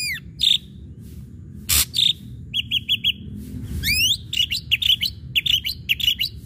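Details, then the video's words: Ashy drongo singing to provoke other birds into song: varied whistles, short note trills and rising sweeps mixed together, broken by one harsh noisy burst, over a low background rumble. "srigunting abu abu gacor PANCINGAN"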